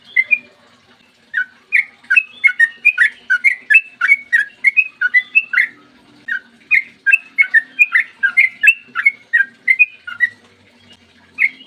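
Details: Morning song of a Sooty-headed bulbul in the long rapid 'ropel' style, played to provoke other bulbuls into singing. Dense chains of chirpy, liquid whistles run almost continuously, broken by brief gaps.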